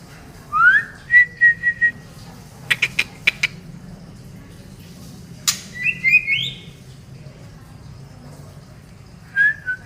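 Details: Female white-rumped shama from Medan, Indonesia, a kept songbird: an upslurred whistle followed by flat held notes, a burst of quick clicks, then rising whistled phrases separated by quiet gaps.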